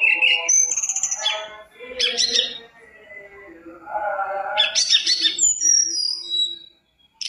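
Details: Mountain tailorbird song meant to lure other birds into singing, mixing high clear whistles and sharp chirps with lower nasal, harmonic phrases, broken by short quiet gaps.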